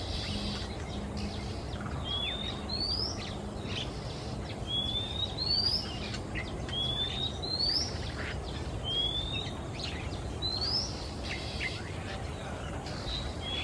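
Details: Singapore, afternoon: a male Oriental magpie-robin delivers his varied song while flying perch to perch, repeating bright rising whistles about every two seconds, punctuated by short screechy notes, against a steady low background rumble.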